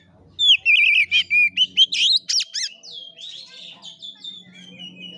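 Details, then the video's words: Oriental magpie-robin (kacer) giving 'gaya kura kura' fighting-style song: a loud burst of fast wavering whistles and steep up-down sweeps in the first half, fading into softer, thinner notes over a low background hum. "KACER NGEPLAY TARUNG|GAYA KURA KURA"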